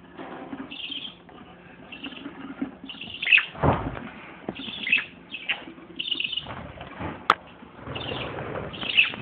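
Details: Parakeets, adults with a young one, giving mixed chirps and short squawky calls in overlapping bursts, with wing flaps and rustling throughout.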